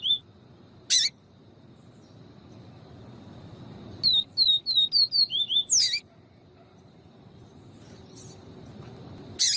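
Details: Double-collared seedeater, 'viviti' song, with a female calling to excite the male: a brief high whistle, then about eight rapid downward-sliding whistled notes in a tight burst. Sharp clicks sound at intervals, and long quiet gaps separate them.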